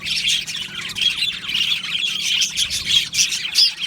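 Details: Aviary colony of budgerigars, Australian parrots, singing and chirping together, giving a busy stream of high warbled chirps and short squawks that never stops.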